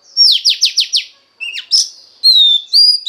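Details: Female Oriental magpie-robin voice for exciting the male, a quick series of five sharp down-slurred notes, a couple of chirps, then long clear whistled notes.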